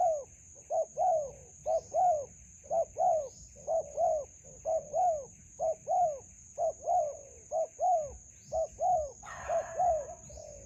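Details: Spotted dove cooing in a melaleuca grove during decoy trapping: an even series of soft, hollow two-note phrases, the second note longer and sliding down, with a brief rustle near the end and a constant insect hum.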